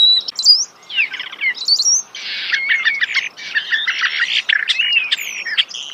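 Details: Starling singing close by outdoors: a busy, varied medley of clicks, rattles, buzzes and squeaky whistled notes run together with hardly a pause.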